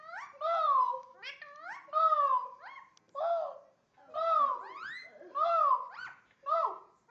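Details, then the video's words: Indian ringneck parakeet imitating barking and talk: clustered, nasal, harmonic notes that slide down then flatten, delivered in phrases separated by short pauses. "indian ringneck talking and barking"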